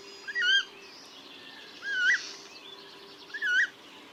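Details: Three brief, nasal, wavering call notes from a coot in its wetland home, each under half a second with a slight rise and fall, separated by short pauses over faint background noise.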